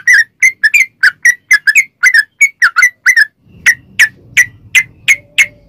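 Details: Sooty-headed bulbul song used as a lure to get other bulbuls singing: a rapid series of short, bright whistled notes, each dipping and rising, given in quick pairs, then slower single notes spaced evenly over a low background hum.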